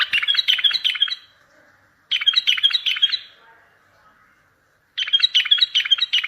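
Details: Bulbul song played to make silent bulbuls sing, lure other bulbuls for trapping and draw answers from distant birds: three bursts of quick, bright warbled notes, each about a second long, separated by short pauses.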